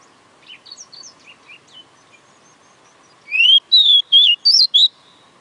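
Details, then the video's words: Oriental magpie-robin singing: soft faint chirps for three seconds, then a loud burst of clear whistled notes, rising and wavering, five phrases close together near the end, with a steady low hum behind. "Chích chòe than hót bá đạo"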